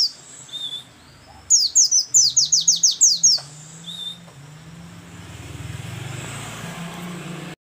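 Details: White-eye in trembling 'geter geter' style song, monotonous delivery: one burst of about eight rapid high descending notes, preceded and followed by a short thin whistle, with steady low hum and rising background noise later.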